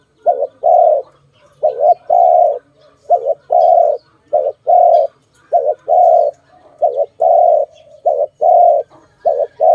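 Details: Dove cooing, filmed around bird trapping: a short wavering double coo followed by a longer steady coo, the pair repeated steadily across the clip with quiet gaps between.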